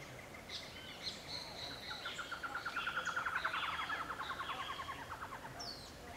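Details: Squirrel cuckoo perched in a tree at Playa Grande beach estates, Costa Rica: a long run of quick, evenly repeated mid-pitched notes that slowly drift downward, with faint higher chirps from other birds behind.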